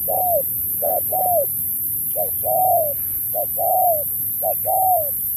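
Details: Spotted dove, 2024 contest, style 'Thúc kèm Bo': coos in short-long pairs, one stuttered triple start, then three longer arched descending coos, each preceded by a brief note, over quiet background noise.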